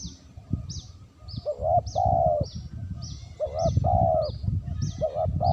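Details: Spotted dove used as a lure, repeating paired coos, a brief note then a longer mellow one, twice in the passage, with low rumbling background noise and repeated high thin chirps.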